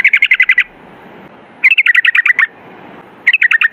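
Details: Yellow-vented bulbul in 'ropel ngalas' style delivers three short bursts of evenly spaced, clipped chirps, six to ten notes each, separated by brief pauses.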